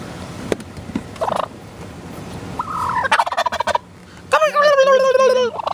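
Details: A wild tom turkey on a dirt road in SE Michigan, early February 2013, attacking an SUV's tires, gives shorter gobbling bursts, then a loud, rapid, rattling gobble of about a second, after a person's startled exclamations and background noise.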